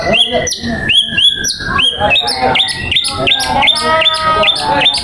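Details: White-rumped shama aged fourteen months in full song: a long falling whistle opens, then quick bright repeated whistles rising in pitch, trills and rapid chatter, with lower slurred notes from other singing birds underneath throughout.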